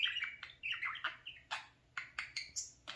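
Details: Pet parakeet playing at a mirror, warbling fast chirpy syllables followed by a series of sharp rising chirps and a high whistled note.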